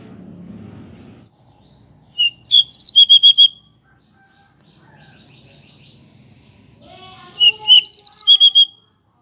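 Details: Local pied bushchat singing loudly with wings spread, used to provoke other birds: two bursts of quick whistled notes, a rising opener, then a rapid string of six or seven even chirps, separated by a long quiet gap.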